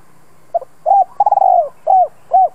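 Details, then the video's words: Calling spotted dove used to lure wild birds: a faint double note, a cooing note, a stuttered trill into a drawn-out falling coo, then two short arched coos. "Tiếng chim cu gáy gọi thúc bổi nhanh lên mồi"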